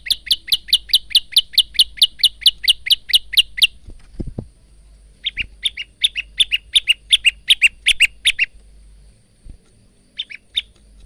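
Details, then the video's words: Male bar-winged prinia, used as a master song for cage birds: a long steady train of about twenty high chips, a knock, then a more irregular jumbled burst and a brief final phrase. "masteran handal burung prenjak lumut"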